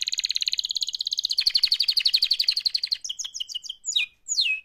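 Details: Canary singing a mating call: a continuous fast rolling trill that changes pitch midway, then breaks into a series of quick repeated chirps and two loud downswept whistles.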